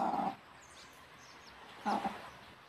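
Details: Hen bringing her chicks back to the nest to roost, uttering two drawn-out, throaty calls separated by a pause of about one and a half seconds, soft chick peeps in between.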